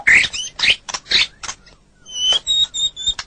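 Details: White-rumped shama song from a masteran training recording: a few harsh, scratchy bursts, then a brief pause and a series of thin, high, clear whistled notes, evenly repeated.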